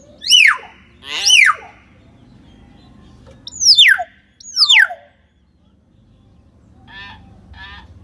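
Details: Common hill myna, to prompt a silent bird to sing: four loud whistles in two pairs, each plunging steeply from high to low pitch, followed by two soft nasal, harmonic notes.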